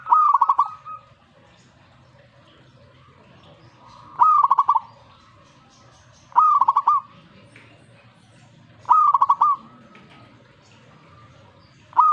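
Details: Zebra dove reacting to master song, giving about five whistled phrases spaced around two and a half seconds apart. Each opens with a note, rattles through fast even pulses and ends in a held coo.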